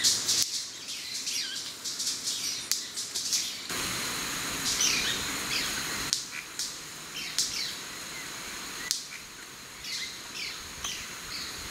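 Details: White-bearded manakins displaying at their lek beside a forest trail at Asa Wright, Trinidad, giving sharp, firecracker-like snaps among quick high chips and short rising notes, with a steady thin high whine behind.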